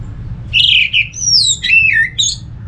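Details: Song of an orange-headed thrush, used as a lure so other thrushes join in: a fast run of clear whistles swooping down, then high slurred phrases falling and rising again, with low steady hum beneath.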